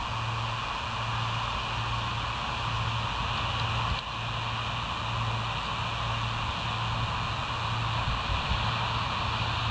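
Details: Constant road-like rumble and hiss with a wavering low hum and a brief thump midway, with no animal calls.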